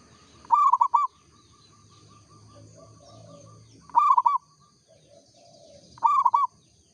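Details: Singing local zebra dove (perkutut lokal) repeats a bubbling phrase of three to four arched coos roughly every two to three seconds. A faint ticking series and soft low coos sound in the background.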